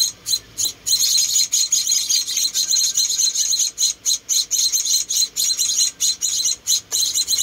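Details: Hand-fed rescued munia babies, four chicks, making high sibilant chirps, at first spaced, then merging into a near-continuous buzzy stretch before breaking into quick separate notes again.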